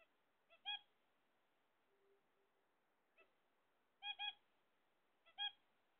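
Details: Zebra finches kept as pets, waiting on eggs, repeat loud nasal doubled honks several times, mixed with fainter single beeps and a soft low hum in between; otherwise quiet.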